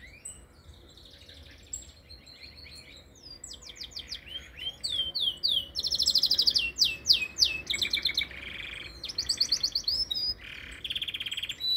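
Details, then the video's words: Canary in full song, starting softly with scattered high chirps, then building into loud, varied phrases of fast down-slurred whistles, rattling trills and sweeping notes, repeated about three times per second. "Metralha Canario veio"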